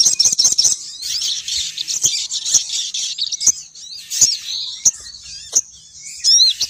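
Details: High, continuous chattering twitter of a female sogon bird, a lure call meant to attract males downward, broken by sharp ticking clicks and ending in a louder squeaky burst.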